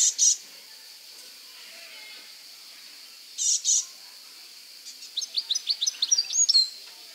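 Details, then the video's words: European goldfinch singing in nature: two brief bright chirp bursts, then a quick run of high tinkling, twittering notes in the final seconds, over a steady faint high-pitched hum. "Gūzel Sesiyle Doğada Şarksnı Söylūyor Saka Kuş"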